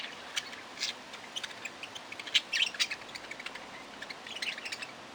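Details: Budgerigar giving sparse, sharp high chirps and short squeaks at an irregular, rapid pace, with a few louder clicks near the middle over a quiet background.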